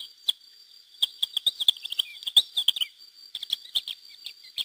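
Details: Lesser Grey Shrikes, a wild pair with chicks released by hacking in 2009 at Mas de Melons–Alfés, Lleida, Spain; rapid high chattering notes and clicks in irregular clusters, with a pause before a final burst.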